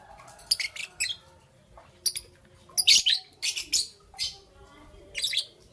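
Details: Chirping of a young green and yellow peach-faced lovebird in the morning, with high harsh calls in uneven clusters, several longer squawky bursts and short clipped notes separated by brief quiet gaps.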